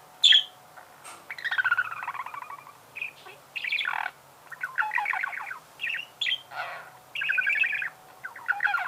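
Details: Budgerigar singing a long, varied warble: sharp high chirps, trilled buzzy phrases and rasping chatter, with short pauses between the bursts.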